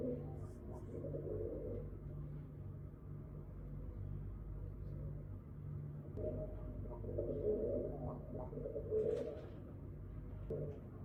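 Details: Pigeons at a window give low, soft, throaty coos in rolling bursts, over a steady low hum and a few faint scratches.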